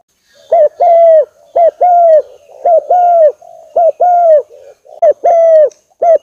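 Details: Lure call of the spotted dove, known locally as tekukur or derkuku, for drawing in birds: clear, even coos. Each phrase is a brief note followed by a longer hollow tone, repeated almost once a second in a steady run.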